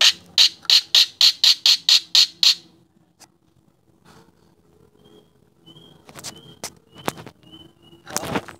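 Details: A talking starling described as a contest champion gives a rapid series of eight harsh, rasping squawks, then falls quiet before short whistled notes, sharp clicks and a final broad burst of noise.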